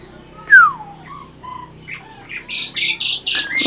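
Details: Adult breeding Asian pied starling, said to be talking, starts with a loud falling whistle, a few soft warbled notes, then a series of six short hissing, breathy bursts.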